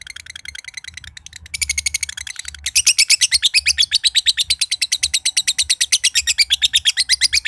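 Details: Caged josan (green standard) lovebird from Mojokerto in a long ngekek trill meant to get other birds trilling. Quieter chatter builds into a steady, very fast run of harsh, high, rattling pulses that carries on to the end.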